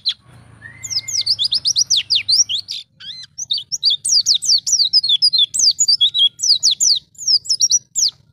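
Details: Wild white-eye song used as a master recording to stir and train young captive white-eyes: a rapid, high, varied twittering of sharp descending and rising notes, delivered in continuous chattering phrases with brief pauses.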